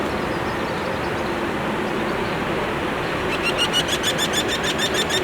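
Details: A Eurasian wryneck singing in spring in its breeding area in Spain's Ebro Delta gives a quick run of about ten nasal, ringing 'quee' notes near the end, over a steady low rumble like passing traffic.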